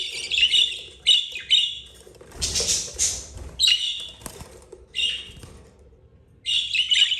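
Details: Budgerigar family, a mother and four chicks (two yellow, two green, eldest 32 days); rasping chirps in short clusters, a noisy rustling burst midway, then more scratchy calls.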